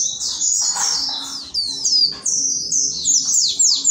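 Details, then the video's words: Loud Javan white-eye song in short bursts of shrill, high sweeping notes, each burst a few tenths of a second, separated by tiny gaps, over a faint low hum. "suara pleci keras muantap"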